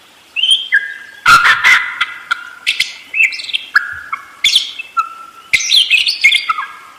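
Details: Budgerigar in full chattering song, a dense stream of whistles, clicks and squeaky warbled notes after a quiet start.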